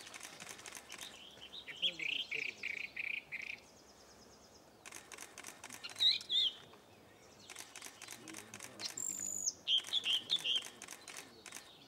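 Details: Firethroat singing in Sichuan: short bursts of sweet, rapid twittering notes in separate phrases, interspersed with broadband rustling or clattering noise and quieter pauses.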